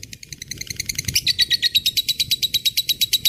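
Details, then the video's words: Lovebird in long 'ngekek' chattering song, used as a tutor for training other songbirds: rapid high, harsh notes repeated several times per second, speeding up and growing louder midway, continuous and even. "SUARA BURUNG LOVEBRID GACOR NGEKEK PANJANG"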